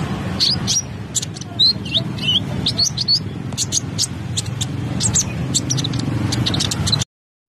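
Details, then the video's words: Lively kolibri ninja (konin) singing energetically, a dense stream of sharp, high chirps and short twittering flicks tumbling one after another for several seconds against a low background hum. "KONIN SUPER GACOR"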